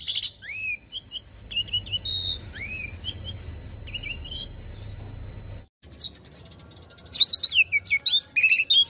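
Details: Asian pied starling master song for young birds to copy: soft looping whistles and short notes over a hissy low rumble, a brief gap, then a louder chattering burst with descending trilled whistles.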